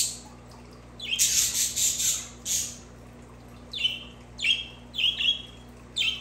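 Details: Budgerigar opens with a harsh, scratchy chattering warble for about two seconds, then gives a series of clear, sharp down-slurred chirps at uneven intervals, over a faint hum.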